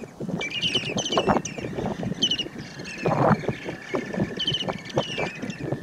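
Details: A flock of Short-billed Dowitchers, mostly subspecies hendersoni, gives bursts of quick, high chattering notes in clusters while feeding on floating mud at Marsh Boardwalk, Point Pelee National Park, Ontario, on 11 May 2019. A low rumble of wind and distant engines runs underneath.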